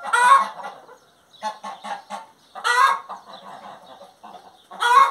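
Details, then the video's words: Singing hen giving three loud, rasping squawks at the start, middle and end, separated by a series of softer, quick clucks. "Galinha Cantando"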